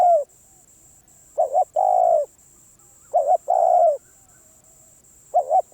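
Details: Spotted dove, wild-caught and getting back into calling shape, delivering deep soft coos: a two-note stutter then a long level coo, repeated roughly every 1.8 seconds, over a constant thin high tone.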